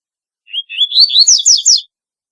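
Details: Double-collared seedeater singing one full strophe of its unusual song: soft introductory whistles leading into a rapid run of loud rising and falling whistled slurs, clean with no background sound.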